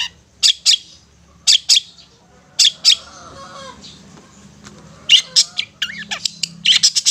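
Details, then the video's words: Long-tailed shrike ngetet song, used to encourage stressed or silent shrikes: paired bursts of harsh high notes separated by pauses, then a quicker run of chips near the end, over a low background hum. "Terapi Suara Cendet NGETET untuk pancingan Cendet STRESS dan BISU"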